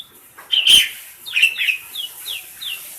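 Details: Tame pet black-collared starling singing in the receh style, used as a master recording to train other birds: a loud harsh burst, then short whistled notes that slide downward, spaced about every third of a second.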